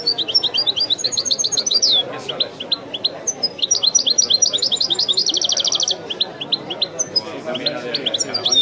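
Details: Goldfinch song in the Widani style: continuous bright twittering with many short high notes, building to a rapid dense buzzing trill, then resuming varied chirps.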